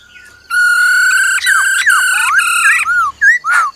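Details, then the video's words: Loud, ringing rolled phrase from a black-throated laughingthrush singing forest-style, with the female's trilling: a steady harmonic tone broken into pulses, sliding dips, then two short curved whistles to finish. "Khứu bạc má hót giọng rừng kèm theo tiếng mái ro ro"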